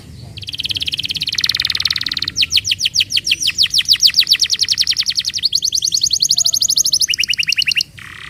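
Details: Canary song played to coax other canaries into song: a dense buzzy roll, then a long series of rapid clicking trill notes, ending with a shorter, higher trill.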